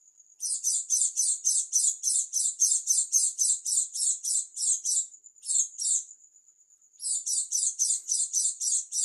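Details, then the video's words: Oriental white-eye of the dakun type from East Java, singing an unusual song: rapid bursts of buzzy, very high notes about four per second, broken by pauses where a thin steady whistle holds on. "pleci dakun jatim suara aneh"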